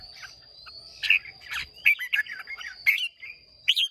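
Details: Contest singing by a Red-whiskered bulbul of Hòa Bình origin, a freshly caught bird, recorded 30 May 2023: rapid chattering, slurred phrases that jump up and down, with faint low rumbling and a constant thin whine.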